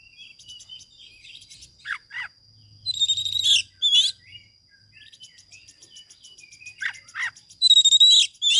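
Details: Oriental magpie-robin training song for birds that will not sing: harsh descending rasps, loud bright whistled phrases, soft chatter and a low rumble, ending in a strong clear whistled burst.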